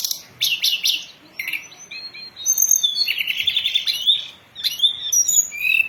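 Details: Lure song of a hill blue flycatcher for catching and training birds, opening with quick high trilled bursts, then sweet warbled whistles and sliding notes in a continuous varied phrase.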